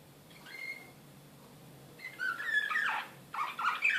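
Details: Excited canary, Serbian nightingale-style singer (slavujar), Belgrade, 2016: a faint, brief whistle near the start, then after a quiet gap, bursts of quick rolling notes and sharp rising-falling whistles.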